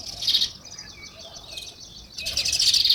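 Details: Natural sparrow chirping: a short burst of busy high twittering, a quieter lull with faint chirps, then another loud, crowded burst of chatter.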